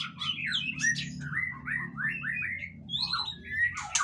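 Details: White-rumped shama in a cage setting, used as a lure to prompt other shamas to sing: rapid slurred whistles and rising and falling fluty notes in quick succession, over a steady low hum.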